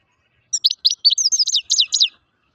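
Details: Song of the grey-crowned (Altai) goldfinch: an unbroken string of about a dozen high, tinkling twitters and downslurred chirps delivered rapidly over under two seconds, with nothing else audible.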